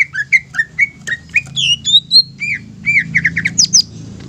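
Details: Greater green leafbird song used to provoke other leafbirds into agitation and continuous singing: quick series of clear whistled notes, some slurred downward, others rising into higher sharp notes, with a low hum underneath.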